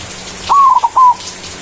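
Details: Single manggung phrase from a white zebra dove, its song used to call a rival as a lure: a smooth fluted coo, two short hiccup notes, then a longer level note.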